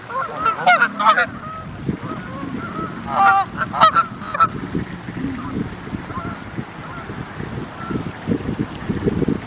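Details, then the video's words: Canada goose honking in loud, nasal bursts, a cluster near the start and another a few seconds later, over a low, steady background rumble; recorded while birdwatching on a morning or afternoon. "Canadian Goose"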